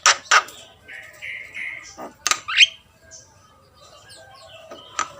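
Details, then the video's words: Javan myna, called jalak kebo, singing: sharp clicks and short whistles, a rising squeaky note near the middle, scattered chatter between louder bursts. "jalak gacor || suara asli jalak kebo"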